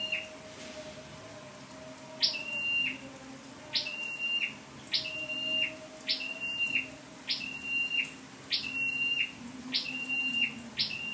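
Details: Scarlet-backed flowerpecker acting as a lure bird, 12/10/14: after a quiet opening, about eight high calls, each a rising flick into a thin steady whistle, repeated about once a second over faint low tones.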